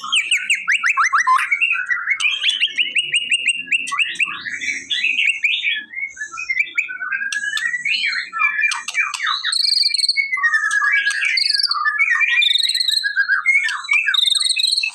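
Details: A white-rumped shama delivers a long, continuous song meant to prompt an unresponsive bird: rapid clicking trills, sliding whistles and harsh chatters, endlessly varied with few pauses.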